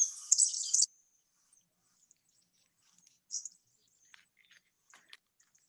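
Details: Cuban grassquit recorded in Cuba, a declining species often kept as a cage bird, gives a thin, very high buzzy trill under a second, then a shorter buzzy burst and scattered faint high ticks.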